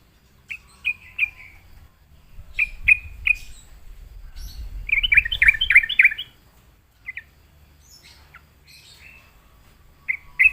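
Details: Sooty-headed bulbul answering a lure: a few spaced clear notes, then a tumbling, bubbly burst of varied notes, then scattered single notes again.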